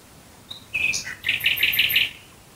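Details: Night song of a nightingale near Dresden, Germany: a brief whistle and slurred notes, then about five quick, identical high notes repeated in a row.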